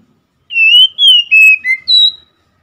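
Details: Short phrase from an Oriental magpie-robin: five clean whistled notes, the first rising, the middle ones level or gently falling, ending on a higher sustained note, against silence.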